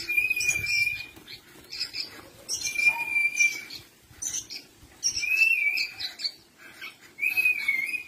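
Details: Long-tailed shrike singing: clear, sustained mid-pitched whistles recurring every couple of seconds, interwoven with scratchy, varied higher chatter and squeaky notes.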